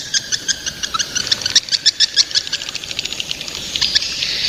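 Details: Young swiftlets utter quick high chirps and clicks in an uneven series, some louder and doubled, ending in a thin buzzy twitter.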